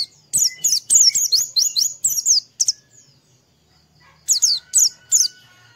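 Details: High, rapid descending chirps of Oriental white-eye song, played in the morning to coax a bird into singing. The notes come in a dense run, pause, then return in three spaced bursts.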